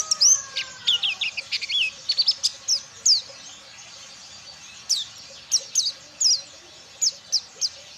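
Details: White-eye from Ciremai learning wild bird songs (ngalas): opening burst of rapid high whistles and twitters, then spaced sharp downslurred chirps roughly every half second, faint hiss in the background.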